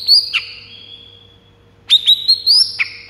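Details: White-rumped shama song meant to stir rival birds into singing: high, sharp whistled notes and quick slurred chips, a bright phrase, a pause, then a second rapid burst of piercing notes.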